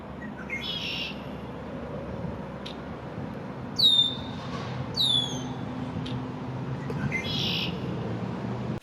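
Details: An immature male Red-winged Blackbird in his first spring sings to defend his territory in a downtown backyard on May 1, 2024, turning in every direction. Sharp downslurred whistled notes alternate with short buzzy bursts over a low background rumble.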